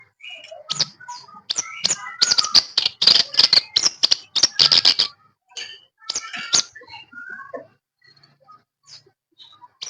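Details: Caged sooty-headed bulbul, known locally as kerak basi or shincan, singing after two weeks of ombyokan group tutoring: a dense, fast run of sharp high chirps and clicks with a few short whistled notes, easing into sparse scattered notes.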